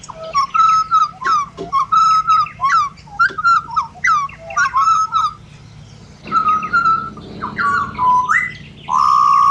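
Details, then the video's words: Pied butcherbird from Australia repeating short whistled phrases about every half second, each a clear note with a downward flick, pausing briefly before resuming with longer sliding whistles. "BUTCHER BIRDS Serenade / Serenata de Pajaros Carniceros"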